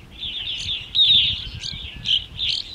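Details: American Goldfinches at feeders in Saint-Fabien-de-Panet, around 11:15 am on 9 August 2020 at 20–22°C, twitter steadily in high, bright, slurred notes, with a few louder chips, over a faint low rumble. Blue Jays also call.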